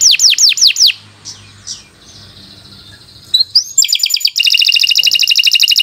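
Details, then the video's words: Canary long song for beginner birds: four descending whistled slurs, a quiet gap with soft faint notes, then a rising whistle leading into a fast dense bright trill. "Kicau Burung Kenari 101 II GACOR PANJANG Cocok untuk Masteran"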